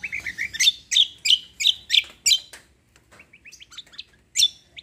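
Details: Cucak kombo (kecial kombo) singing gacor with roll tembak: a rapid run of loud, high, sharp chirps at a steady beat, then a pause and a string of softer quick notes, ending with one loud chirp.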